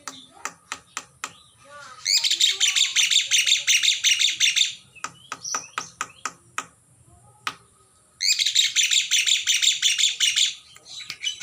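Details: A single young Oriental magpie-robin, now grown, in an unfenced aviary gives sharp, spaced clicking notes, then two rapid bursts of high, scratchy, twittering song, each lasting two to three seconds.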